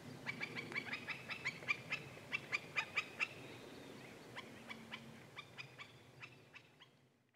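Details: Morning recording of a Black-necked Stilt at Goldwater Lake, Prescott, Arizona, May 14, 2017, Canon VIXIA HF R600 camcorder: a quick run of sharp, clipped kek notes, clearer at first, then pausing and resuming more faintly as they trail off.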